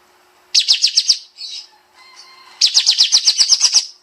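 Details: Olive-winged bulbul (kapas tembak) in the dense 'nembak' song style used as a master for training songbirds: two bursts of rapid, high, sharp repeated notes, about four per second, with a softer chirp and faint hum between.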